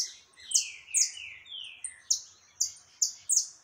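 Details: Saffron finch singing a lot alongside free-flying birds, recorded 20 October 2021; bright high chirps, each a sharp note dropping into a lower buzzy slur, repeated about every half second.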